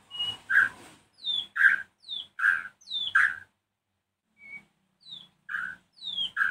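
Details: White-rumped shama singing in the afternoon, repeating two-part phrases, a high falling whistle then a harsh, nasal squawk, roughly one per second with a brief pause midway.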